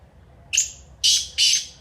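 A black francolin gives a loud, harsh, grating phrase: a brief first note, then two rasping, high notes in quick succession over quiet background.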